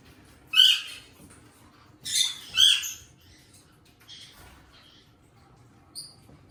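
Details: Two pet eastern rosellas seen up close, giving a few sharp, high squeaky calls in bursts around one and two seconds, then shorter faint notes, with quiet room background.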